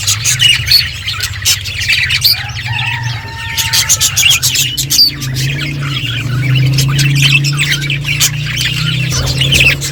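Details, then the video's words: Eating budgerigars give scattered high chirps, clicks and a thin whistled note, set over a loud, steady low droning hum. "Beautiful budgies colour eating and chirping sounds"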